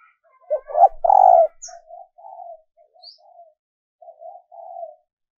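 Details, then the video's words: Female dove giving its male-enticing call, recorded for decoy practice: one loud rolling coo opens, then a run of quieter, evenly spaced low coo notes trails off, with a couple of faint high chirps. "Tiếng Chim Cu Mái mp3 kích Trống"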